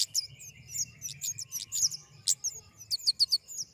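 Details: ['Busy stream of very high, thin twittering chirps and slurred notes from a flowerpecker, uneven and dense, with faint low background hum.']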